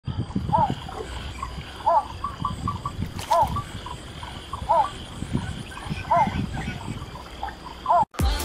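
Yellow bittern giving short, hollow, mid-pitched notes, each repeated about every one and a half seconds, over low rumbling and splashing water.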